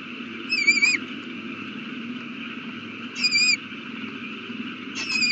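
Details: Nest owl with a chick newly hatched, April 18, 2019 at 8:32 pm: three thin, quavering screeches about two to three seconds apart, with a steady hum behind them.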